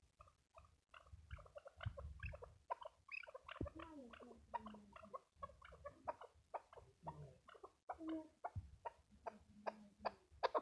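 A chukar gives a run of harsh, clucking chuck notes in quick uneven bursts, with some human laughter in the background.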